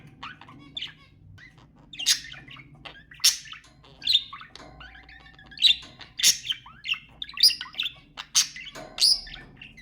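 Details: Budgerigar calls for stimulating mating: spaced, sharp high chirps and squawks every second or so, with softer chatter between them.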